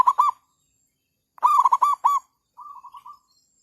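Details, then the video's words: Zebra dove used to call in wild birds for trapping, overcast after rain: a few staccato coos, then a louder rolling burst, followed by a softer, quicker trilling coo at the end. "perkutut/merbuk.. burung hutan bagi derak sama pikat"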